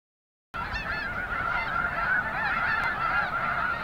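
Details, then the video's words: Thousands of Arctic white geese lift off together at Summer Lake Wildlife Area, Oregon. After half a second of silence, a dense wall of overlapping nasal honks erupts and holds steady and loud. "Arctc Geese flock takes flight"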